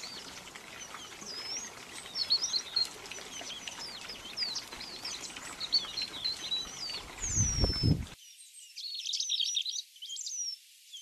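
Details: White-throated rock thrush (Monticola gularis) sings a run of high, clear whistled phrases, rising and falling, over a low background rumble, with a brief thump near the end.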